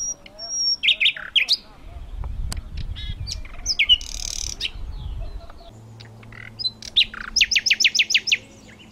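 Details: Thrush nightingale, the eastern European and Russian relative of the western nightingale, delivering varied song phrases: sharp chirps and whistles, a harsh buzzy rattle, then a rapid series of about eight loud, evenly spaced repeated notes, with faint low hum.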